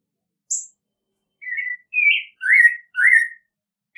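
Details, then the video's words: American robin singing: a high thin note, then a run of short whistled carolling phrases near mid pitch, each slurred and slightly rising or falling, given in quick succession over clean silence. "American Robin Song! Call! Sound! Singing! - Mirlo Primavera Canto- Turdus Migratorius"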